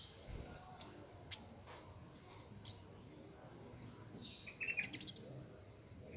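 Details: Cit keres singing nonstop in the wild, recorded as a master for training songbirds; a string of thin high sharp chirps and short twittering notes, quickening toward the end, over faint background hiss.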